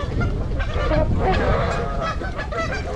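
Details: A flock of wintering Trumpeter Swans, 26 adults and 16 juveniles, at Gallup Park, Ann Arbor, Michigan, on 8 January, gives a steady chorus of deep, nasal, horn-like honks, several birds calling over one another.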